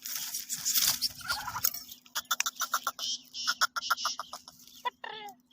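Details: Black francolin (black tetar) being checked gives a harsh, grating run of rapid clicking and cackling notes after an opening noisy burst, over a steady low mechanical hum.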